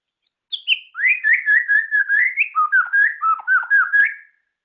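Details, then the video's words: White-rumped shama, a songbird valued by hobby keepers, starts with high whistles, then pours out a continuous melodious warble of rolling, looping phrases that drops slightly lower toward the end. "suara burung Murai ceram"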